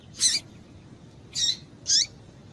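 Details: Female double-collared seedeater call meant to stir up males for singing contests: three sharp, high chirps, each with a quick downward tail, the last two closer together, against a quiet low rumble.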